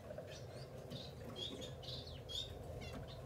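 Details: Several high, nasal whistled notes from masked grass finches, some slurred and bent, sounding in quick succession against steady low background hiss.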